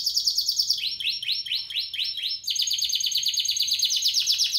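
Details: Song of a 2017 Spanish Timbrado canary: a high steady roll, then a string of about six swooping dropping notes, followed by a fast metallic trill.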